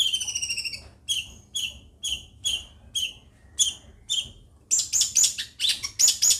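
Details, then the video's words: Long-tailed shrike from Situbondo singing: a run of repeated harsh, buzzy notes with strong high overtones, about two per second, then faster scratchy chattering phrases near the end. "LANGSUNG TERPIKAT Dengan Burung CENDET Seperti ini"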